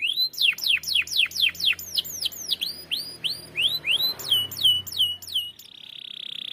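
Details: Canary used as a lure song, a long rolling trill style: repeated clear downward-sweeping whistles at high pitch, several per second, then a steady buzzy trill at the end; faint low hum beneath.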